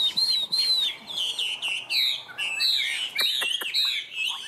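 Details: Chinese hwamei kept in a cage and praised as a strong singer pours out high, slurred whistled phrases that rise and fall quickly, with short pauses and a few sharp ticks between them.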